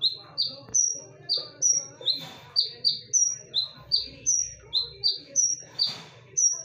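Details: A konin sings a lure song, a rapid series of high whistles. Short falling notes and long level notes at a higher pitch alternate steadily, about twenty in under seven seconds. Faint low rumble underneath.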